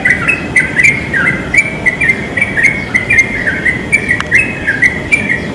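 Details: Wild yellow-vented bulbuls in a pine tree, rapid bubbly phrases of short warbled notes in quick succession, backed by a steady rushing noise.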